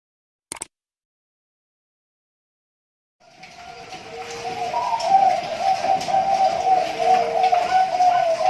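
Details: Bangkok-line zebra dove, captive-bred at a bird farm in Pasuruan, East Java, Indonesia, hatched 20 March 2023; after a short click and three seconds of silence, a steady low cooing begins and grows louder, with some room noise.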